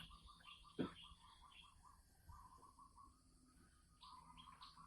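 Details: Caged Sumatran red junglefowl hen cackling (ngekek) before laying eggs, recorded 24 December 2020: a steady run of short, even mid-pitched clucks, with a louder sharp note near one second and higher chatter at the end.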